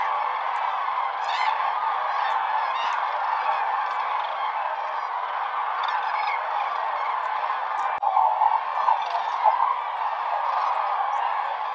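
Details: A dense chorus of many common cranes at Lake Hornborga in the early morning just before sunrise: huge flocks giving loud overlapping bugling and trumpeting calls without pause, with a few nearer clear calls rising above the din.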